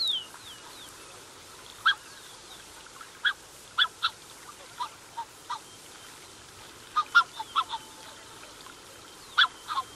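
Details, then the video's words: A Black-necked Swan pair with cygnets gives medium close-up calls: short, soft honking notes, scattered irregularly and sometimes in quick pairs or triplets, after a thin descending whistle opens the recording. "Black Necked Swan / Black-Necked Swan. MCU Calls From Pair With Cygnets."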